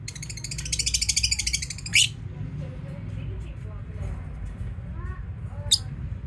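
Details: Lovebirds kept as pets chirping in a rapid, even series of shrill notes for almost two seconds. A single sharp squeak follows, then quieter scattered calls over a steady low hum.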